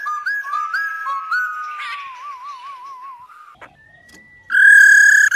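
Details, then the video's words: Female White-cheeked laughingthrush calling, recording played to stimulate males to sing: quick clear whistled notes with rising hooks and a wavering warble, ending in a loud, bright sustained whistle. "KHƯỚU MÁI RO QUÁ ĐỈNH. Kích Trống Hót Căng Hót Hay | KHƯỚU MÁI Rò rò nghe là hót"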